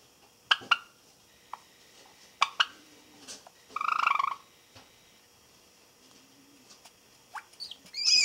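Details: An about four-month-old male Java sparrow practises its song standing on one leg on a thick perch, April 2017: scattered dry clicking notes, a brief buzzy churr, then a few rising, tinkling notes. Quiet indoor background.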